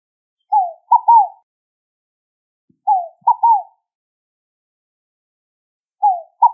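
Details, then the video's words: Scaled dove (rolinha fogo-apagou) sings steady three-note cooing phrases, each a falling note then a clipped note and a longer descending one. There are two complete phrases and the start of a third, spaced a little over two seconds apart. "O Canto da Rolinha Fogo Apagou!"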